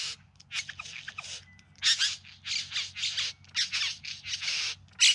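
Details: Displaying bowerbird in the Yarra Valley just outside Melbourne, September 2020, giving a rapid chatter of harsh, grating buzzes, bursts tumbling one after another with little rest.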